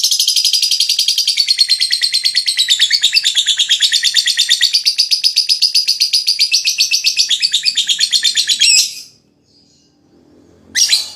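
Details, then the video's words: Lovebird ngekek meant to stimulate other lovebirds to sing: a long, unbroken high rattling trill of rapid harsh notes for about nine seconds, a short silence, then another burst begins. "Suara LoveBird Terapi,Rangsang Lawan Cepat Ngekek,LoveBird Ngekek Gacor"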